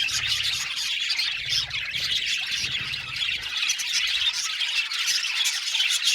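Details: Aviary flock of Australian budgerigars giving constant chirping and harsh squawky notes, layered into an unbroken high chatter, with a soft low hum in the background at times.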